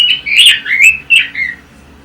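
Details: Pekin robin, the red-billed leiothrix, a caged imported songbird, giving a short burst of warbling song: several quick slurred whistles tumbling up and down, then fading into quiet.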